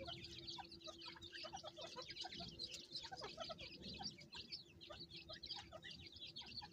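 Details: Captive francolin brood as the mother calls her chicks: many thin, high cheeping notes crowd together without pause, a few deeper short notes, and a constant low electrical hum.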